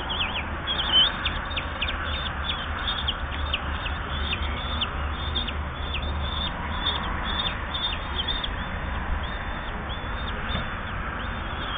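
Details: Nestling common kestrels, 8–10 days old, at feeding time, uttering many short, sharp, downward-slurred high squeaks in quick irregular succession throughout, over a low steady hum.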